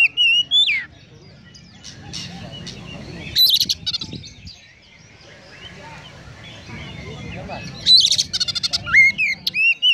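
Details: A magpie-robin sings in short bursts, sliding whistles at the start and a dense cluster of fast chattering and whistled notes near the end, with a long quieter stretch of background noise between.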